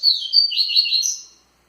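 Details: Double-collared seedeater giving a vigorous tui-tui song phrase: a loud, high, fast run of slurred chirps and warbled notes lasting just over a second, then silence.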